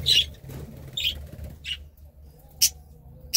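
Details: Budgerigar giving short, sharp, high chirps spaced roughly half a second apart, ending with two louder, clipped squeaks against a quiet low background hum.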